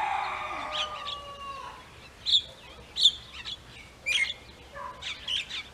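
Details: A rose-ringed parakeet, wintering in Potohar in low evening light, gives short, sharp, high screeches about a second apart, after a drawn-out lower crowing sound from another bird.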